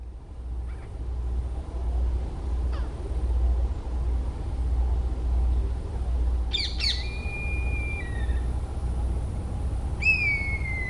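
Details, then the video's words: Pariah black kite perched on an old tree in a forest in West Bengal, India, gives thin, high whistled calls, slightly falling in pitch, in two short bouts midway and near the end, over a steady low wind rumble. "Pariah Black Kite Calls On A Tree"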